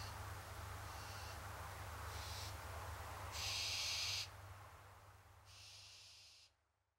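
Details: Repeated rasping hisses from hungry barn owls begging, starting faint and short, building to a loud second-long screech, then another long hiss before the sound cuts to silence, over a low rumbling hum.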